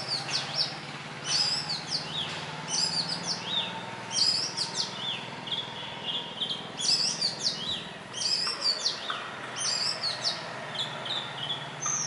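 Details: Indian robin singing near houses, perched on a tree branch or wire at morning or evening; bright high chirping phrases with quick downslurred notes, delivered in regular bursts roughly every second or two.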